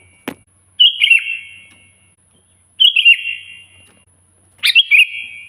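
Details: Lively, loud sooty-headed bulbul (kutilang) song used to call a rival: a sharp click, then three brief warbled phrases of bright, slurred whistles about every two seconds, each fading into an echoing tail over a faint constant high hiss.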